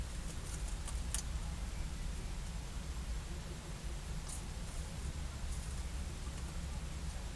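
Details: Even background hiss and low hum at a peregrine falcon site in Heidelberg on an evening in May, broken only by a few brief faint clicks.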